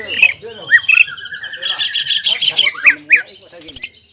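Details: Caged greater green leafbird singing excitedly, the song styles called ngobra and jamtrok, roused by stirring its breeding urge: loud varied whistles, a long sliding note, rapid buzzy chattering bursts and sharp upslurred notes.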